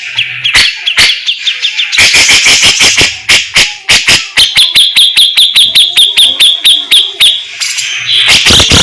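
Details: Caged grey-cheeked bulbul delivering a loud song of sharp clicking strokes, then a steady series of rapid repeated high notes, ending in harsh chattering.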